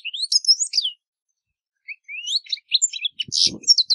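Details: European goldfinch (Carduelis carduelis) singing in nature: quick, bright twittering trills and slurred whistles, a pause of about a second, then another burst of tinkling notes with a couple of soft low thumps.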